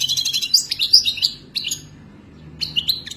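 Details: Goldfinch song tied to mating, meant as a singing model for a captive bird: scratchy, high twittered notes in short broken phrases, a gap, then another brief twittering burst.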